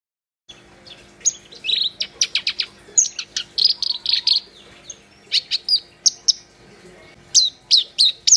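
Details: Black-browed reed warbler in lively song: rapid bursts of high, sharp chirps and short downslurred whistles, with quick ticking notes between phrases and brief pauses, over a faint steady hum.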